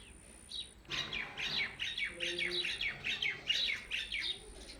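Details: A blue Indian ringneck (rose-ringed) parakeet, a pet, gives a rapid series of harsh, high chattering notes, several a second, with a steady electronic whine and a brief low hum behind.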